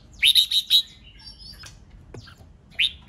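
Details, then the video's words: Red-whiskered bulbul giving the rapid 'ché' notes used to stir rival birds to sing: four quick, bright, clipped notes in a row, then a quiet gap and two more sharp rising notes. "Chào mào CHÉ NẸT CỰC SUNG kích bổi căng lửa nhanh ché/ âm kích nghe là đấu,nghe hót,sổ bọng căng lửa"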